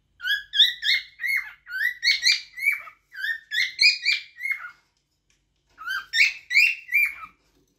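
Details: Cockatiel song in two phrases: a long burst of about fifteen rapid, rising and falling whistles, a one-second pause, then four more bright notes.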